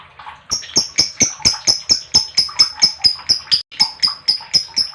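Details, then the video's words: Lovebird chirping, used as a lure to get other lovebirds calling: a fast run of sharp, shrill chirps, about two per second, evenly repeated and loud, over a quiet background. "Lovebird Chirping Sounds"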